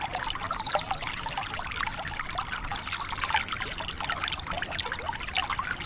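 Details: Lively Javan bush lark song recorded to prompt untrained caged larks to respond: two high trilled bursts, a thin drawn-out rattle, then a fainter buzzy phrase, followed by quieter background ticking.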